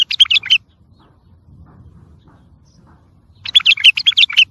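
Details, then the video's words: Song of bulbuls for schooling and encouraging young birds. Two bursts of fast, chattering, warbled notes are separated by about three seconds of quiet with a faint low rumble. "سمع بلابلك طياريات سيحان روعه صوت ماينوصف للتخريج وتحفيز"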